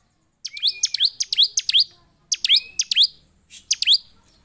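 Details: Bar-winged prinia, emotional and vocal, used to stir other prinias into song: clusters of sharp downslurred chips with a rising buzzy edge, a thin level whistle underneath at the start, in three short phrases.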